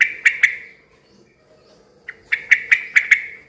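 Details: Yellow-vented bulbul, loud and lively, used to draw answers from other bulbuls: short sharp clicky chirps, a few at the start, then a quick run of five or six after a pause.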